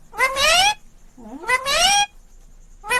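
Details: Ringneck green parrot talking close up: loud, drawn-out, rising nasal words with rich harmonics, two long utterances about a second apart and the start of a third, in a quiet room.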